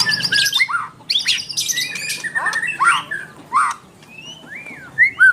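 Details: White-rumped shama of the dokor type in full song: varied, harsh squawks mixed with clear slurred whistles that rise and then drop, in short bursts separated by brief pauses.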